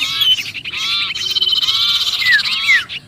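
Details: {'caption': 'Frantic trapped-sounding sirpu calls meant to draw other birds in: a steady buzzy chattering band with a few sharp descending swept notes toward the end.'}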